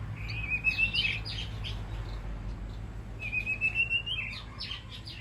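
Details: White-rumped shama calling to the flock in a safe aviary: two long rising whistled phrases about three seconds apart, each followed by quick buzzy upper notes, over a steady low hum.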